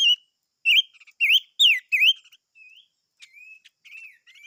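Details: Chim ngũ sắc singing loud, clear whistled notes that swoop down and back up in V-shaped slurs, several in a row, followed by softer, thinner rising whistles and a few faint chips.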